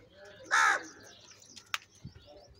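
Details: Crow crying while eating, one short loud hoarse caw followed by clicks and faint background noise.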